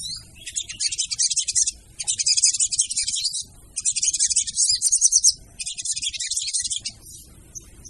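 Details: Female sogon voice, used as a lure: four long bursts of dense, hissy, high-pitched chattering, each about a second and a half, separated by brief gaps.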